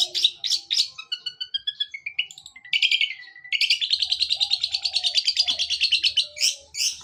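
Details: Long-tailed shrike in fighting mood, singing and imitating a sparrow: a varied loud song with sharp chirps, a rising ladder of whistled notes, then a long rapid buzzy trill of repeated chips.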